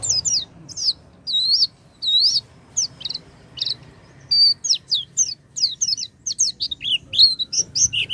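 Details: Oriental white-eye song meant to trigger a silent white-eye: wavering high whistled phrases, spaced at first and then speeding into dense twittering runs.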